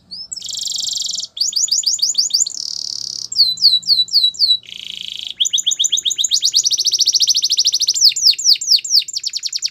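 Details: Canary training song built of shifting tours: a sustained buzzy trill, rapid series of falling chips, curved whistled notes repeated several times, another buzz, then long rolling runs of quick high syllables.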